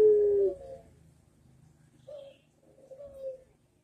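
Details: Cooing Barbary dove in manggung style, a master recording meant to prompt other doves to answer: a loud opening coo fading away, then two softer, gentle coo notes after a pause.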